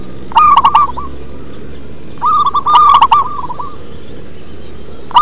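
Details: Two rolling phrases of quick, ringing coos from a deep-voiced local zebra dove, each lasting under a second and a half, separated by quiet, with a loud note starting at the very end.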